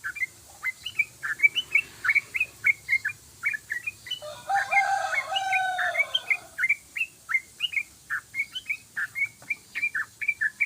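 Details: Yellow-vented bulbul in long ropelan style, a rapid run of song, singing actively: short chirped notes repeated about three per second throughout, broken near the middle by a harsher, rougher chattering burst lasting about two seconds.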